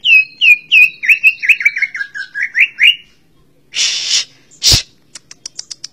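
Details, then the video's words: Greater green leafbird, known locally as cucak ijo, singing a quick run of about a dozen slurred, dropping whistled notes. A harsh rasping burst follows, then a string of short, sharp high chips. "CUCAK HIJAU - Burung Ccucak Ijo"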